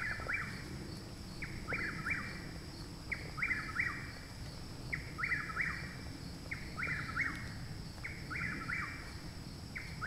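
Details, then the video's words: Chuck-will's-widow singing loudly very close to a home in Parkersburg, West Virginia, on 29 May 2019, a full month after arrival; three-part whistled phrases repeat about every one and a half seconds, over a steady low hum. "Chuck Wills Widow Singing Loudly Very Nearby"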